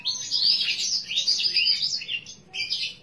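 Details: A bottle-green canary with a unique voice sings a fast, bright, high warble of rolling trills and chirps, breaking briefly before a final burst, over a faint low hum.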